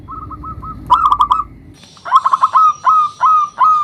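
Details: Local zebra dove with a big voice, singing to draw out and provoke rivals: a quick rolling trill of coos, then a steady series of separate hooked, fluting notes, several per second.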